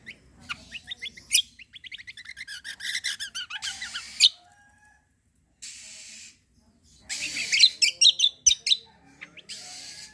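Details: Cucak kombo song used as a lure to set other birds singing: a long stream of fast, high twittering notes, a gap with hiss, then another dense burst of sharp chattering phrases.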